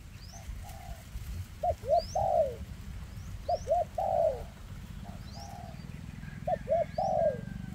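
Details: Spotted dove cooing in a dense 'kèm rước' style; the bird has a leg problem. Short hooked notes come in pairs, each followed by a longer drawn-out coo, in repeated phrases, with thin high chirps from other birds and low rumble.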